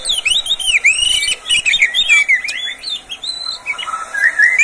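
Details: Oriental magpie-robin, a kept bird, singing as a master song to prompt other magpie-robins to sing. Rapid, varied whistled phrases with swoops, slurs and sharp chirps run almost without a break.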